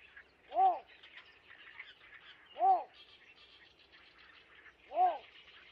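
Yellow bittern giving three short, arched, nasal notes about two seconds apart, over a steady high chatter of insects and small birds.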